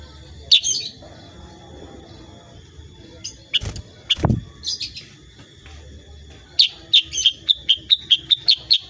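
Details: Kutilang sutra, the sooty-headed bulbul, in lively tembakan song: a few isolated high chips and loud knocks, then a rapid, even burst of about ten sharp, bright notes near the end.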